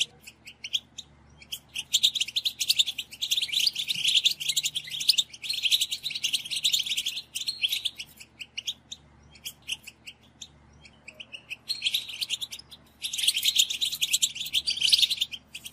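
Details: European goldfinch song used to stimulate captive goldfinches to sing: dense, rapid twittering of bright chirps and trills in two long bursts, with a quieter patch of scattered notes between them.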